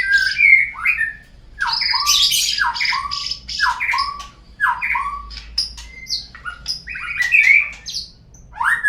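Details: White-rumped shama lure song, played to get murai birds singing: a rapid, varied run of loud whistled and slurred phrases mixed with harsh squawky notes, delivered in bursts with short pauses.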